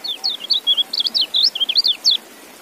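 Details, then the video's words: Fast, continuous twittering from a white-eye known as kecial, a chain of high warbled notes rising and falling in quick succession for about two seconds, then silence. "Relaksasi Suara Kecial"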